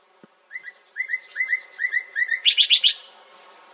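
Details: Nightingale song: a run of clear whistled notes near one pitch, repeated about four per second, then a burst of louder, higher rapid trilled notes and a final high whistle.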